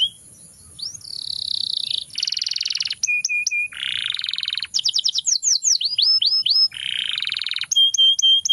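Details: Canary singing a rich, varied song: buzzy rolled trills, rapid repeated notes and clear whistled phrases, shifting between high tours every second or so, loud and close with no other sounds.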